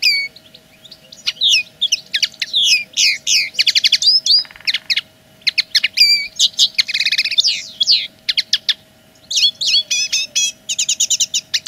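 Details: Linnet song delivered as a territorial claim: bursts of fast chirps and trills, a short buzzy rattle, pauses, then resumed rapid twittering phrases, with a faint steady hum behind.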